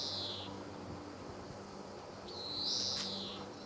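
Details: Wheezing call of a male greenfinch at Sabunike, Croatia, on 26 July 2014: the tail of one nasal note, then a full drawn-out buzzy wheeze that rises and fades, over faint background hum.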